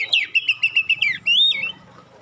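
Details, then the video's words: Sharp 'shot' notes and clear whistles of a magpie-robin singing to provoke other magpie-robins into response, a quick rhythmic series of bright whistled notes ending in a longer clear rising whistle. "suara tembakan tajam juga suara jernih bikin kacer lain langsung respon ngobra"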